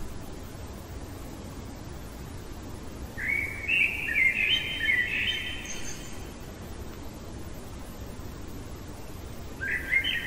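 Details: A common blackbird sings deep in the night, one mellow warbling phrase of varied whistles followed by a higher twitter, then silence and the start of another phrase; constant low hiss underneath.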